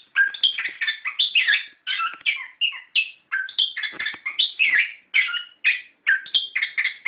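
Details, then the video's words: Orange-headed thrush lure song used to set captive birds singing, in the rolling, full-voiced ngerol style: a dense, nearly unbroken stream of varied whistles, trills and chatters with only brief pauses between bursts. "Pancingan Suara Burung Anis Kembang Gacor Ngeplong Ngerol"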